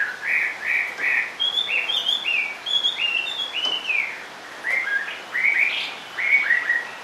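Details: Caged Chinese hwamei singing from low on its perch, repeating short bright whistled notes in little groups that climb step by step, then dropping to lower slurred phrases.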